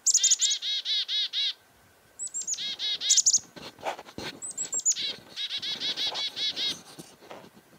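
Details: Chickadees on a farm in February 2021 scold a nearby goshawk. A dense series of high chips leads into long strings of rasping, buzzy 'dee' notes, repeated almost without pause for eight seconds.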